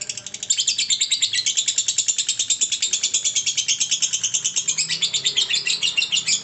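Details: Lovebird giving a long ngekek trill: a continuous, high, rapid chatter of tightly packed pulses that holds steady for the whole stretch after a softer start.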